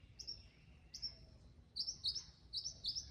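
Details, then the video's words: Mimicking mockingbird giving high, thin, sharp notes, two single ones, then a quicker burst of paired piercing chirps, with soft background hiss. "Mimicking bird | Mocking bird | Beautiful sound"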